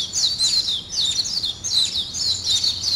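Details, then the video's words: Morning bird chatter in three quick bursts of high, squeaky chirps and trills, with short gaps between bursts. "아침을 깨우는 새소리 2 ,Birds wake up in the morning 2"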